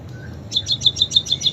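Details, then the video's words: ['Munia song with canary imitations. One faint low note is followed by seven rapid, sharp, high chips evenly spaced over under a second.'] "Burung PIPIT Full isian KENARI"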